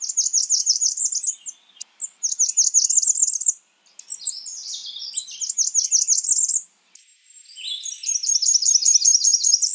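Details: Repeated high-pitched phrases from a Blackburnian warbler, each a fast run of thin notes with a sharp upward flick at the close. Lower chattering from another bird sounds between phrases.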